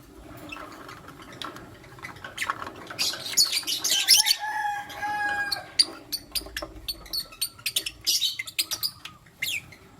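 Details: Lutino lovebirds in the morning, a male choosing between two females: dense, rapid high chirping and harsh squeaks, briefly joined by a drawn-out tonal note, then quick clicking chirps.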